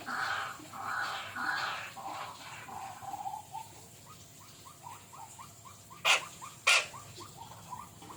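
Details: Jujuk, or Tatapaian, bird giving a few loud rough notes, then a quicker run of soft, short down-slurred whistles; two sharp clicks break in near the end.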